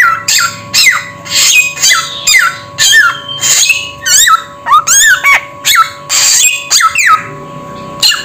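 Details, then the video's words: Samyong bird producing a steady series of loud squawks, some with wavering whistled loops in the middle, roughly two calls each second, above a constant electrical hum. "Suara Burung SAMYONG"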